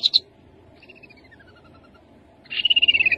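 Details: Rufous-capped babbler song: two quick high notes, then a thin whistle sliding slowly downward. It ends in a rapid high trill that drifts gradually lower in pitch.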